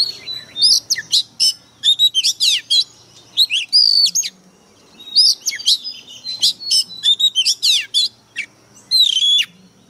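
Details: Decoy Oriental magpie-robin in an excited state, belting out an intense song: dense, rapid volleys of sharp whistled notes, steep sweeps and chattery fragments, delivered in two long bursts with a short pause between.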